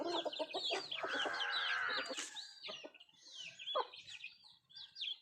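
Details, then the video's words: Country chickens feeding, with a long, loud, nasal drawn-out cackle in the first half amid fast clucks, then scattered clucks and shrill chick peeps. "Nattu kozhi Food eating and sound effect"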